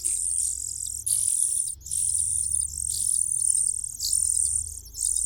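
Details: Cuckoo in the nest gaining food advantages: sustained, high, hissing calls in pulses of about a second, over a steady low hum.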